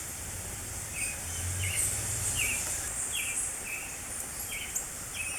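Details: Spring singing of a creamy-bellied thrush: short downslurred whistled notes spaced roughly every half to one second, against loud shrill insect buzzing and a low background hum.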